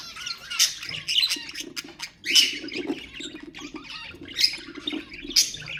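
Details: Budgerigars give harsh squawks and scratchy chatter in loud bursts roughly every second, between softer twittering, as sound to stimulate other birds to call.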